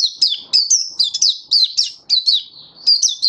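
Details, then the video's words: Oriental white-eye in happy 'buka' singing, 24 February 2023: dense, continuous string of shrill high twittering notes, each sharply attacked and sliding downward, delivered several per second with barely a gap. "Mata Puteh Happy Buka Sing"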